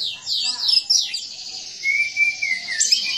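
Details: Caged orange-headed thrush in full song, recorded as a master track for training other birds: fast high twittering sweeps, then a long sustained rattling trill over a steady thin whistled note.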